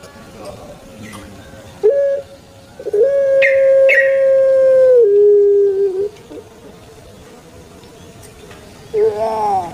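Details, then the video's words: Puter pelung dove, a kept Indonesian bird, in its long thick 'kwok' voice: short coo notes lead to a sustained even hoot of about three seconds that steps lower before stopping, then a quieter gap and a wavering coo. "𝙋𝙐𝙏𝙀𝙍 𝙋𝙀𝙇𝙐𝙉𝙂 𝙎𝙐𝘼𝙍𝘼 𝘼𝙎𝙇𝙞 𝙋𝘼𝙉𝙅𝘼𝙉𝙂 𝙆𝙒𝙊𝙆 𝙏𝙀𝘽𝘼𝙇"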